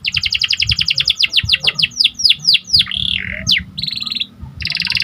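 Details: Panda canary singing vigorously: quick series of descending chirps slowing into longer swooping slurs, a short warbled phrase, then dense rattling trills, over a low steady hum.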